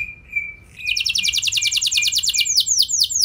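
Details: Canary song used as a lure to make other canaries sing: a steady high whistle opens, then a fast rolling trill of buzzy, sweeping notes that slow into longer downslurred phrases.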